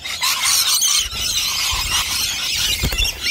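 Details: Rainbow lorikeets crowding nectar dishes at lunchtime screech and squeal shrilly in an overlapping flock chorus, with a few low knocks and bumps beneath.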